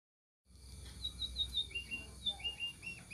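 A munia gives thin, high chirps, about three a second, slightly falling in pitch, over a low background rumble.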